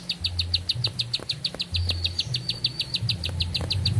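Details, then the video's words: Rapid, evenly paced high chipping notes from a bar-winged prinia, delivered as one sustained song phrase. A loud low droning hum comes and goes underneath. "Nafas Panjang, Nembak Satu Lagu, Ciblek Sawah Gacor"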